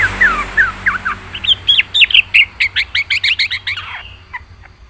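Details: Yellow-vented bulbul in full song, a kept singing bird: a loud, rapid run of bubbly, warbled notes, about twenty short phrases in under five seconds, rising and falling, fading at the end.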